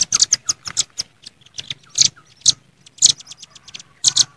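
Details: Wild velvet-fronted nuthatches calling at rivals in a jontrot combination of many noisy birds: irregular clusters of sharp, high, clicking chips, several overlapping voices, gaps of quiet between bursts.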